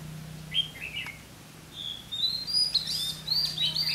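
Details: Red-whiskered bulbul singing while used as a decoy to lure wild bulbuls into a trap: short whistled and warbled phrases, rising and falling, with a brief pause before a longer run of bright notes, over a steady low hum.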